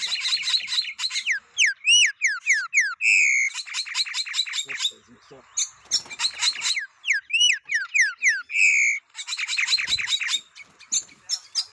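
Green-winged saltator singing rich, loud phrases of rapid slurred whistles and trilled bursts, with brief pauses between them.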